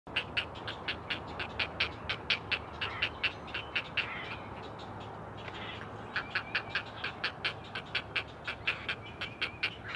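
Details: Four great blue heron chicks on a live nest cam at the Chesapeake Conservancy call to their mother: rapid, repeated harsh clicking chatter, several pulses a second, with a steady low hum beneath.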